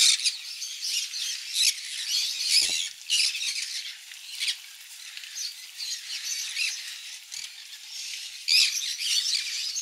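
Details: Conures eating mealworm egg food: frequent harsh squawks among a dense wash of flock chatter, with a sharp loud call near the end.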